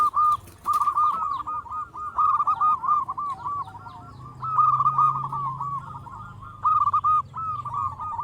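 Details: Local zebra dove, a frequent singer used as a lure to stimulate other zebra doves: bubbling, rolling coos in close series, several phrases with a steady low drone behind.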